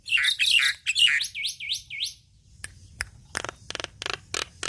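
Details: Javan myna singing energetically as a songbird tutor: three quick buzzy whistled notes, then a run of clear V-shaped whistles, followed by spaced dry clicks.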